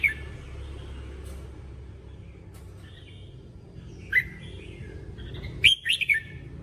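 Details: Red-whiskered bulbul song for voice training: scattered sharp whistled notes, then a closing cluster of four quick, bright, rolling chirps, with soft low background noise.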